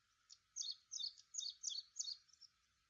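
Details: Ashy prinia calling in a rapid series of five high, buzzy double-noted chirps, evenly spaced about three per second, over a faint hiss of background noise.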